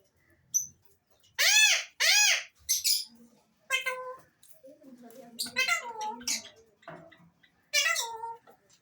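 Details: Alexandrine parakeet making a varied run of loud harsh arched calls and shorter chattering notes, some with stepped tones, spread through the clip with little pause.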